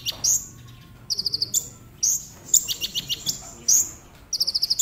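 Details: Song of a brown-throated sunbird (konin) used as a lure for quick singing: sharp high downslurred chips interspersed with short rapid trills, repeated in a lively, uneven sequence over a low murmur.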